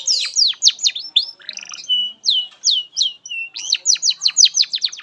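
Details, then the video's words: Canary song used as master song for training young canaries: varied rapid phrases of downward-sweeping whistled notes, a few steady pure tones, ending in a fast repeated trill. "SUARA BURUNG Kenari GACOR PANJANG INI Cocok untuk Masteran KENARI PAUD dan Kenari Macet BUNYI"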